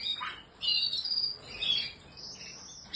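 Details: Short bursts of canary song: a low chirp, then bright high trilled phrases separated by quieter pauses, fairly soft overall.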